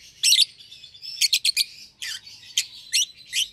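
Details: Lovebirds, a young euwing green opaline and albino pair sharing a cage, give strident high chirps, a quick triple burst followed by spaced single notes about every half second.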